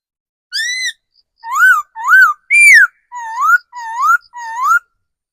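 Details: Decoy laughingthrush matured in the wild giving measured whistled song: three high arched notes, then a strong falling slur, followed by three low upslurred whistles repeated roughly every half second.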